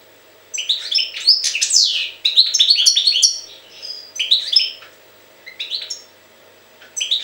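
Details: Jagodina goldfinch delivering a long, jumbled run of tinkling twitters and buzzy slurred notes, then shorter bursts spaced by pauses, against a faint hum.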